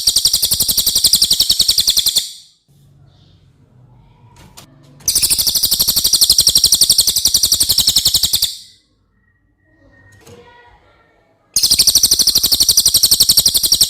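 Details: Real cililin song meant as masteran for competition birds: three bursts of a dense, high-pitched trill, each lasting a few seconds and pulsing roughly four times a second, separated by quiet pauses with faint clicks.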